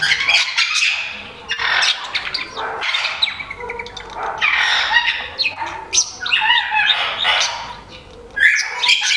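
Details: Great-tailed grackle visiting a garden in the north of Nezahualcóyotl, State of Mexico: a dense run of harsh, broadband squawks and rising whistled notes, loud and near-continuous with brief gaps.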